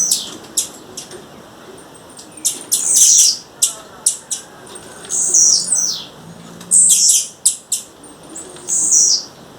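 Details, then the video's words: Female blue-black grassquit calling in the wild: repeated high buzzy bursts mixed with sharp ticks, about one burst every one to two seconds. "Tiziu fêmea, fêmea de tiziu chamando na natureza"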